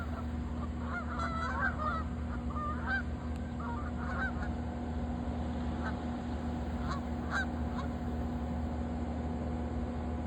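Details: Autumn geese over a lake as they fly in and land, clustered honking early on, then sparse single calls against constant low-pitched background hum.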